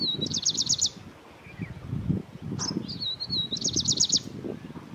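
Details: Grey-breasted prinia (Prinia hodgsonii) gives two quick bursts of thin, very high, rapidly repeated notes, each under a second, with a faint low rumble behind.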